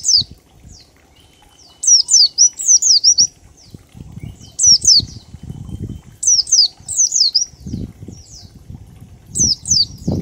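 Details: Oriental white-eye (pleci) singing in the ngalas style with 1234-beat phrasing, used as a lure to prompt other birds to sing: very high, thin, quick downslurred chirps in short bursts of two to four, with low thumping flutter or knock noises between.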